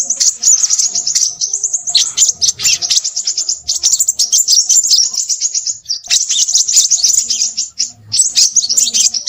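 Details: Crimson sunbird, noted as noisy, pouring out long bursts of rapid, high-pitched twittering and sharp ticking notes. A short gap near six seconds separates the bursts.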